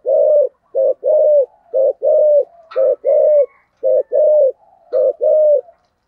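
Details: Decoy spotted dove calling at the start of 2023 in the 'giọng thổ' voice style with two trailing notes, in a quiet setting: low, mellow coos grouped in short-then-long pairs, repeated steadily about once a second, with faint higher notes between phrases.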